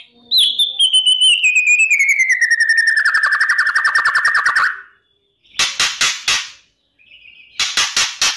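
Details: White-rumped shama morning lure song for contest birds: a high whistle gliding down into a fast, even buzzy trill lasting about four seconds, followed by two short sets of harsh rasping notes.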